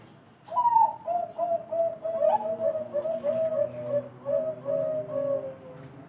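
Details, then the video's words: Bangkok-type zebra dove (perkutut), a voice prized for its thick, special quality: one high clear opening note, then a run of soft, wavering, slightly falling coos in a steady rhythm for about five seconds, over a faint low hum. "BURUNG PERKUTUT BANGKOK SUARA ISTIMEWA"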